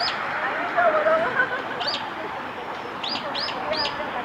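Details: Japanese waxwing recorded in Hiratsuka, Kanagawa, Japan, on 14 February 2021: thin, high descending call notes, one alone, then three in quick succession about every third of a second, over a lower murmur resembling voices.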